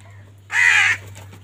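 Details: A crow calling while fighting for food: one loud, harsh, buzzy caw lasting about half a second, with a steady low hum underneath.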